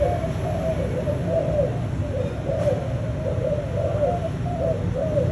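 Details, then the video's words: A spotted dove gives soft, low, hollow coos in a steady rolling series, roughly two per second, over a constant low rumble. "Chim tơ malai dòng thúc gù!"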